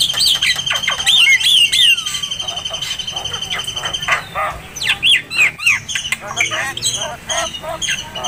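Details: White-rumped shama song for training other birds: bright wavering whistles over a steady high tone, then rapid clicking and a string of quick downslurred notes.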